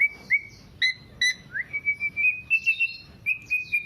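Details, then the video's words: Black-naped oriole song meant as a lure and master recording for songbird keepers: a run of clear, level whistled notes that join into a steady piping series, broken by brief sharp chips. "Kepodang Podang kicau sampe telerrr"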